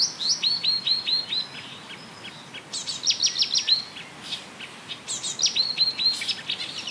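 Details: Marsh warbler at the Bernau-Friedenstal railway embankment in May 2013 imitating other species such as tit, blackbird, lark, goldfinch and starling: bursts of high, repeated, down-slurred whistled notes, four or five per burst, with pauses between.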